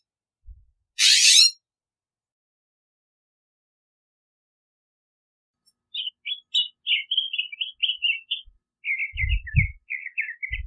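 A California scrub jay gives a quick, chattering run of short squeaky notes that drop slightly in pitch, after one harsh rasp. Low thumps can be heard.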